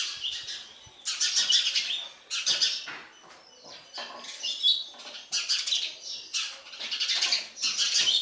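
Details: Begging sparrow chicks during feeding by an adult: repeated clusters of harsh, hissy chirps, each lasting about a second, with brief lulls between.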